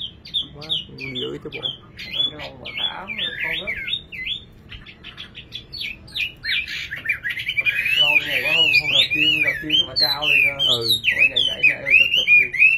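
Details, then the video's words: A singing nightingale gives bursts of sharp, chirpy, rapidly looping notes, first in short clusters, then a dense twittering stream; human voices talk underneath throughout. "Singing nightingale. amazing bird song"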